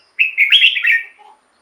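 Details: A single rich, gurgling warbled phrase just over a second long from a red-whiskered bulbul, a song meant for luring wild birds or stirring up caged birds.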